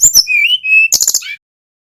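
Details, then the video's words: Brown-chested jungle flycatcher, a male from Bali, in a lure recording meant to prompt other birds to sing. A high sharp note, then a thin whistled tone that rises and holds, followed by a fast burst of buzzy chirps ending in a downslurred whistle. "Suara Sikatan rimba dada coklat bali GACOR PIKAT"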